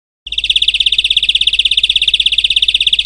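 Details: Singing in nature, a European greenfinch starts a rapid, even trill of high notes that continues without a break, over a faint low background hum.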